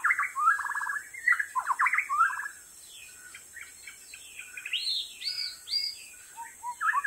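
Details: Wild white-rumped shama in continuous song. It gives varied clear whistled phrases, some with quick stuttering notes, mid-pitched at first and then rising higher. There are short gaps between phrases, with a steady high hiss in the background.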